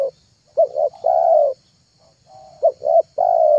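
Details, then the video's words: Spotted dove cooing for luring doves: two phrases of a clipped note, a brief swelling coo and a long sustained coo, separated by a quiet soft note. "MP3 TEKUKUR PIKAT TERHITZ DI AKHIR TAHUN 2022,,pikat tekukur"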